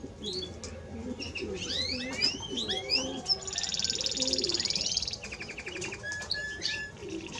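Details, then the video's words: Timbrado Español canary singing: varied rising and falling whistled notes, then a long buzzy trill near the middle, followed by rapid clicking repeated notes and more short whistles; faint low background hum. "Timbrado Español Canario song - Canario Cantado"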